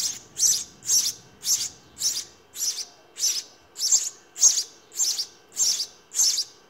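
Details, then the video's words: House sparrow chicks being fed in the nest give loud, evenly spaced high chirp bursts, around a dozen in under seven seconds, each harsh and buzzy. "Sparrow feeding babies in nest"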